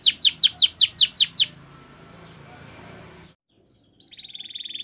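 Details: Canary training song: a rapid series of high, sharply falling whistled notes for about a second and a half, then a hissing pause, ending with a fast, even, buzzy trill.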